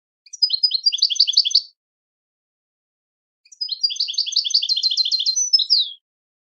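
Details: Goldfinch song for teaching birds: two rippling, rapid phrases of high chirps. The second phrase is longer and ends on a slurred, descending note. Silence falls between the bursts.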